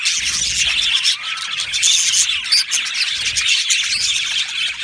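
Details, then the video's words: Budgerigar colony in an aviary chattering: layered high chirps, twitters and a few clear whistled notes over a constant busy background. "Budgie parrot chirping sounds"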